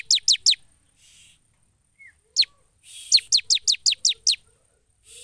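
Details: Bar-winged prinia in vigorous, prolific song: rapid series of sharp, high downward-sweeping notes, about six in quick succession after a short opening burst, with brief pauses between phrases.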